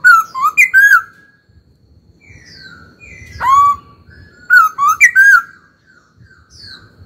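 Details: Pet laughingthrush being stimulated to sing gives rich, ringing whistles in short slurred phrases. One burst comes at the start, a single swooping note mid-way, then another bright rolling phrase, with soft background hum.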